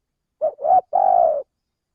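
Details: Indonesian lure recording of a male spotted dove for attracting birds: one soft short coo, a louder second coo, and a long, rippling final note that tapers downward. No background noise.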